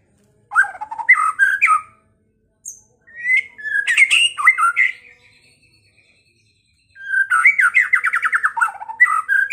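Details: White-rumped shama singing, played to provoke a rival into fighting and singing: rich varied whistled phrases, a pause, then a fast rattling series of repeated notes and further warbles.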